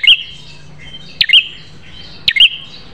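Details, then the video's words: High-pitched Prinia song from a caged-bird tutor recording: three sharp notes, each a hard click rising into a brief whistle, about a second apart, over faint low murmuring. "Masteran Prenjak Terganas Suara Pedas"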